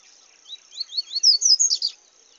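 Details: Paca capim singing in the bush, a phrase of about eight high slurred whistles that climb in pitch and loudness, ending in a burst of bright, tumbling chirps; quiet background otherwise.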